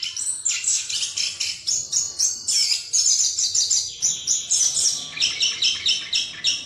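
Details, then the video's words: Lure song in 'ngerol' style from a chestnut-capped thrush, meant to draw another bird into singing: steady, very rapid high chattering and warbling, pulsing in regular short bursts throughout. "ANIS KEMBANG NGEROL BUAT PANCINGAN AGAR NGEPLONG"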